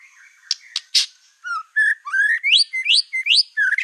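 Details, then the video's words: White-rumped shama song meant to stir other shamas: a few sharp clicks, then clear whistled notes climbing into a series of rising upswept phrases repeated about every third of a second. "PANCINGAN MURAI BATU EKOR HITAM GACOR, SEKALI DENGAR AMPUH BIKIN MURAI APAPUN LANGSUNG EMOSI"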